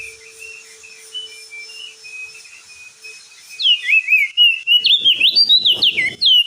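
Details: Crested darkeye, called opior jambul, singing as a lure for other caged birds. Thin whistled notes come first, then a lively run of quick, twisting, slurred whistles over a steady low hum.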